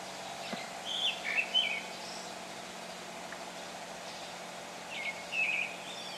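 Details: Pale thrush singing around 7 a.m. on a neighbourhood house rooftop: two short whistled phrases with brief trilled ends, the first about a second in, the second after a roughly three-second pause, over a steady low hum.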